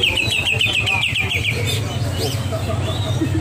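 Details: A champion greater green leafbird (cucak ijo) at a song contest in Serangin bird market, the first-place winner, gives a rapid burst of about a dozen bright, slurred down-sweeping chirps in under two seconds, over crowd hum and voices.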